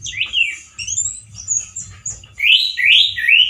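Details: Loud, harsh song of a male orange-headed thrush, voice compared to a bird in the wild: high thin notes, then strong rolling whistled phrases rising and falling in quick succession, with a low hum beneath.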